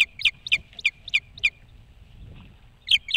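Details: Osprey calling at a nest on a boat house roof facing Hog Island, Maine: a rapid series of about six piercing whistled chirps, then a short pause before two more chirps.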